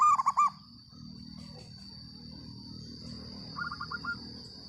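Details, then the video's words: Local zebra dove with a loud voice gives one fast phrase of rounded, bubbling coos at the start, then a fainter distant phrase later over low rumbling background noise and a constant high whine. "perkutut lokal gacor suara lantang"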